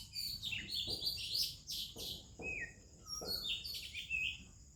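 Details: Oriental magpie-robin, Copsychus saularis, singing at dawn in India: melodious phrases of high chirps mixed with lower, drawn-out slurred whistles, repeated with short gaps, other birds calling too.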